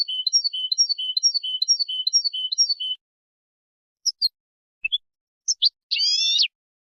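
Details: European goldfinches in group chatter used to stimulate other goldfinches to sing: a bright, evenly repeated twittering phrase for three seconds, then isolated high chips and a short buzzy trill.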